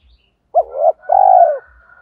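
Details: Loud, clear spotted dove coo played to attract wild doves: a short rising note sliding into a hum, then a longer steady throbbing coo that falls away at the end, with a thin higher tone running alongside.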